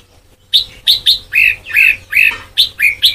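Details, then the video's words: Red-whiskered bulbul singing for Sông Kon style song training, caged: after half a second of quiet, a series of rich, slurred whistled notes, some rising, some falling, delivered in an uneven rhythm. "Ép Giọng Cho Chào Mào Má Trắng Thành Sông Kon Chuẩn 100%"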